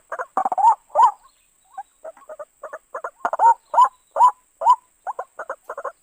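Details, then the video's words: {'caption': 'White-breasted waterhen calls used as a trapping lure: rough chattering bursts and bent croaks, a quieter spell of soft clipped notes, then repeated loud arched croaks and quick stuttered pairs, with a thin high tone.'} "suara burung ruak ruak paling mantap 100%"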